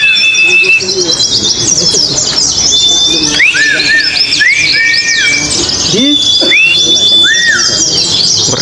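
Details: Caged oriental white-eyes competing at an Indonesian songbird contest on the hanging poles, singing mechanical-style song: dense, high, buzzy twittering from several birds at once, overlaid by clear sliding whistled notes and arching upswept tones.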